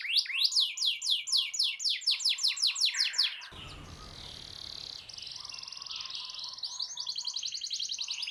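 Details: Canary song used as therapy to prompt a silent canary to sing: rapid series of bright repeated trill notes sweeping down, about eighty per minute, then a long buzzy high rolling phrase and fast chattering notes.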